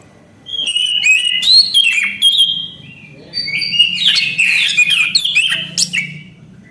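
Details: Orange-headed thrush singing continuously: two bursts of rapid, varied whistles and chattering warbles, dense and high-pitched, separated by a short pause.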